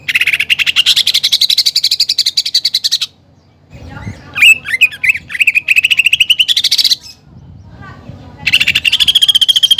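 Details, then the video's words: A greater green leafbird in vigorous song laced with sparrow-fight and pelatuk bawang imitations: a long high rattling trill, a patch of varied sharp chirps and squeaky notes, then fast repeated pulses rising, and another trill. "CUCAK IJO GACOR FULL ISIAN TEMBAKAN GEREJA TARUNG DAN PELATUK BAWANG"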